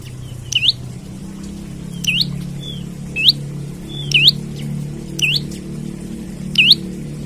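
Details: Olive-backed tailorbird singing loudly as if seeking a rival, used to lure or train other birds; sharp whistled notes dipping then rising, repeated roughly every second, over a low steady hum.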